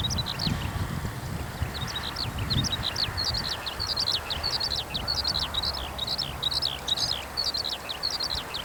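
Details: Eurasian skylark landed in a cultivated field after singing aloft, pouring out a continuous, rapid song of high chirps, slurred whistles and rattling trills with no pauses, over a soft steady background hiss.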